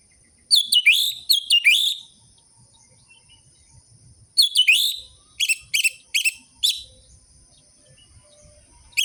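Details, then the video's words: Orange-headed thrush song used as a stimulus for a captive bird that has stopped singing. Short bright chirped notes, each sliding downward, come in two bursts separated by a pause of about two seconds. "Pancingan burung anis merah macet dan malas bunyi"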